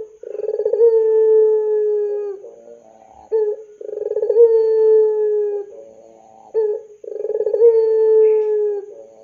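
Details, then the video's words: Lure call of a puter pelung dove used as a model for young birds. Three long coos: each starts with a rapid pulsed stutter, then holds a smooth low note for about two seconds and ends in a soft warble. "SUARA PANCINGAN BURUNG PUTER PELUNG GACOR COCOK UNTUK MASTERAN PUTER MUDA"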